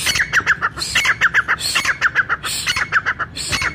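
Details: Brown francolin call, said to draw other francolins together and intended for hunters: evenly paced, rapid, short whistled notes with rough edges, repeated throughout.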